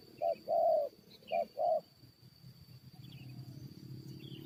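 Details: Spotted dove used as a decoy to lure wild birds into fighting, giving four short, low, hollow coos in two quick pairs, the second note of the first pair longer; a faint steady hum underneath afterwards.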